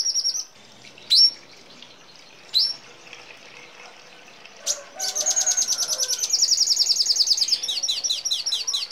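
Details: Red siskin song used to train other songbirds: a few isolated sharp high chips at first, then from about five seconds a dense, rapid, buzzy trill that breaks into fast falling notes.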